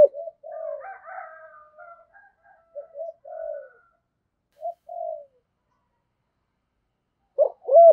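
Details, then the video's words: Decoy spotted dove with the thổ-style voice, giving soft, low murmured coos in short breaks, ending with a louder pair of rounded, hooked coo notes. "Chim Cu Mồi, chim cu gáy giọng thổ thúc gù và gáy gọi hai hậu rất chuẩn"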